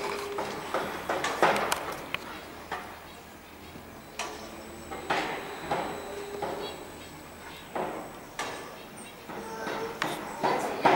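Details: A common starling, recorded 20 May 2016, sings a scratchy medley of sharp clicks and rattles at an uneven pace, with a thin high whistle drawn out beneath.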